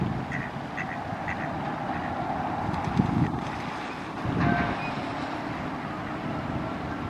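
A Mallard gives a few harsh, nasal quacks over a steady low rumble, with a louder burst of calling near the middle.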